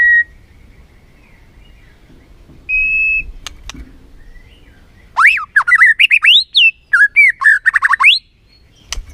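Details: White-rumped shama song used as a lure to rouse a lazy bird into full singing; a lone steady whistle, then a rapid burst of varied, sliding whistled notes repeated quickly for about three seconds.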